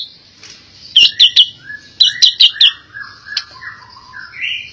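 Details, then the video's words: Albino white-rumped shama sings two groups of four sharp clicking notes about a second apart, linked by soft flowing whistles, then ends with long gliding whistled phrases rising and falling. "Murai Batu Albino Istimewa"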